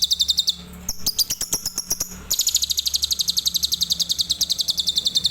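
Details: An adult lovebird sings tembakan Cililin style: rapid machine-gun strings of high, sharp chirps, a stuttering clicky pause, then a sustained run of evenly spaced notes to the end.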